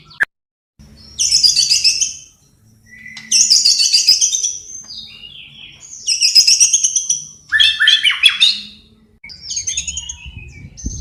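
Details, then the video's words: Continuously singing white-rumped shama used as training material, with fill-ins mimicking sparrows, fighting lovebirds and kapas tembak. Five loud dense bursts of high chattering trills and rattles are separated by brief pauses. "Murai Batu Gacor Isian Gereja Tarung Love bird Kapas Tembak"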